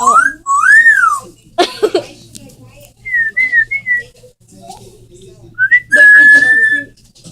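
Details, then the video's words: Parrot makes varied whistles: two arched rising-and-falling notes, a harsh noisy burst, a trio of short upturned chirps, then a long steady whistle, with a low hum underneath. "Parrots making crazy noises!"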